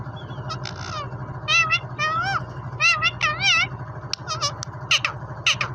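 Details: Green ring-necked parrot mimicking Urdu/Hindi speech, saying "Mian Mithoo", with wavy, bending syllables grouped into short phrases and sharper clipped notes near the end, over a constant low hum.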